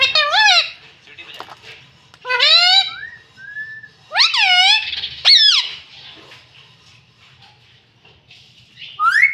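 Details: Talking pet rose-ringed parakeet saying "mummy" in a raspy, human-like voice. Several bursts of stacked, curving harmonic syllables come in quick pairs with short pauses, a brief thin whistle between them, and a high squeak at the end.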